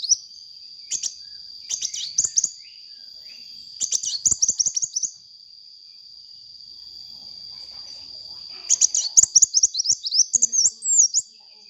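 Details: Lively sunbird song used to lure and train birds: short chirp groups, then a rapid twittering burst, a long pause, and a final longer run of high squeaky notes ending in slurred whistles. A faint constant whine continues.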